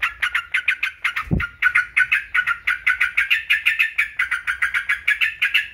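Yellow-vented Bulbul gives a rapid run of bubbly, chattering notes, about three a second, steady in pitch, with one brief low thump partway through.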